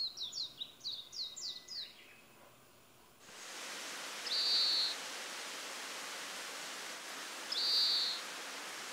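Oriental greenfinch giving two long, nasal, buzzy 'beeen' notes about three seconds apart over a steady rushing hiss, after a brief run of high twittering notes.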